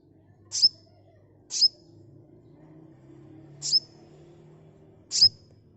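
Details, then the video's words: Sunbird sound used as a lure to draw a fast response. Four short, very high, sharp chips, each ending in a brief thin whistle, spaced about a second apart with a pause, over a faint low hum. "Suara asli kolibri pancing bahan cepat respon ngeplong"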